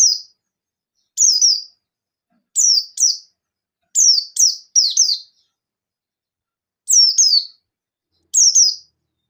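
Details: Calling rivals, a Buxton's white-eye repeats high, piercing down-slurred notes, often doubled or tripled, in irregular bursts roughly every second or two, with no other sounds.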